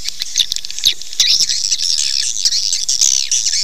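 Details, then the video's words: Lure sound meant to draw swiftlets to nest: loud, crowded high-pitched twittering and squeaky chirps from what sound like several birds, scratchy and continuous with brief louder bursts. "SUARA PANGGIL BURUNG WALET"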